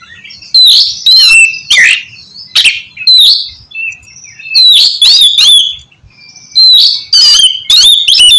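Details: Kacer, the oriental magpie-robin, giving loud song meant to stimulate lazy birds to sing: sharp whistled phrases mixed with raspy notes, broken by short pauses.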